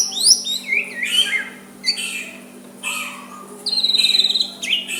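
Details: White-rumped shama singing soft phrases to provoke a rival; high downslurred whistles, buzzy notes and a fast trilled rattle near the end, with a low steady hum.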